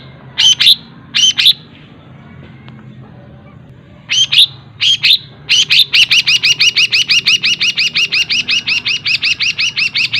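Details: Cendet, the long-tailed shrike, in tengkek buto mimicry linked to greja and kunti phrases. A few isolated sharp notes with long gaps lead into a long, even series of rapid high chips.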